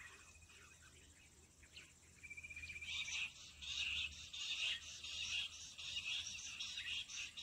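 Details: Wild quail caught by luring them with the call of jungle bush quail. After a quiet opening with a thin high trill, loud high chirruping bursts start and repeat rapidly to the end.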